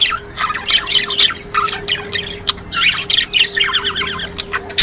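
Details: Budgerigar chatter meant to encourage breeding: dense, fast warbling with rippling trills and squeaky notes in quick bursts, broken by sharp clicks. A faint steady low hum runs underneath.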